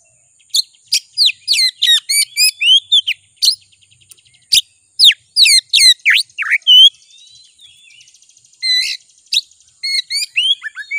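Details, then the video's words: Lure song of an Oriental magpie-robin meant to make a rival sing: brisk series of bright, ringing whistled notes and slurred phrases, a brief soft chattering lull, then renewed loud whistles. "Suara Pancingan Kacer Agar Cepat Emosi Gacor"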